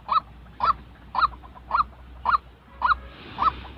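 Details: White-breasted waterhen calling, a genuine bird used to train trapping decoys; seven loud hoarse upslurred notes spaced about half a second apart, with a low steady hum behind.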